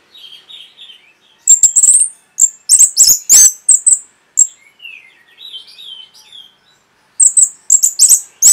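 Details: Masteran tutor song of an orange-headed thrush for caged birds. Loud, high, squeaky notes come in quick clusters, broken by quieter, lower warbled whistles, then a fresh burst of sharp chips.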